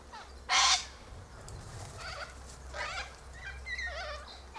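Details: Sulphur-crested Cockatoos eating seeds from pods high up in a Silky Oak tree. One very loud, rasping screech opens, followed by quieter grating squawks and wavering harsh calls from other birds in the flock.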